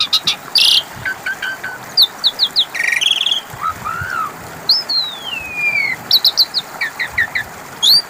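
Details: Asian pied starling singing as a lure for birds that have stopped singing: a mix of sharp whistles, short chirps, a long descending slurred whistle and a low warbled phrase, all in quick, irregular succession.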